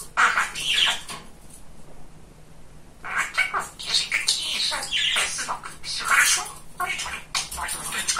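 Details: Highly talkative male pet budgerigar: busy, scratchy warbling and word-like chatter in bursts, broken by a silent gap of about two seconds, then continuing with squawky phrases.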